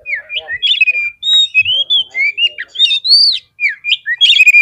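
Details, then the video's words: Provoking song of an Oriental magpie-robin, meant to stir rival birds into fighting: dense, sweet whistled phrases that rise and fall quickly, mixed with short harsh chips, with only one brief gap near the end. "SEKALI PLAY KACER KALIAN PASTI LANGSUNG NGOBRA !!! KEPANCING EMOSINYA FULL FIGHTER"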